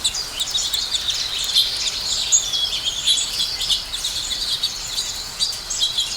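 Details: A group of house sparrows chatters while feeding: continuous high-pitched, irregular chirps from multiple birds overlap into a lively twittering chorus, with a slight noisy background.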